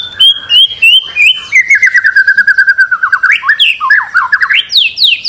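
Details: Singing white-rumped shama on a master recording used to stimulate birds: sliding whistles lead into a quick chattering series that drops in pitch, then jumps up into varied squeaky phrases.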